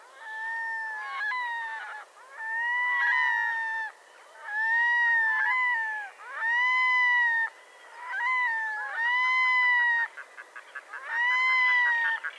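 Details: Loud series of cat-like wails from a Red-throated diver: seven drawn-out harmonic notes, each about a second long, rising then dipping slightly, repeated every two seconds, with a few short clipped notes near the end.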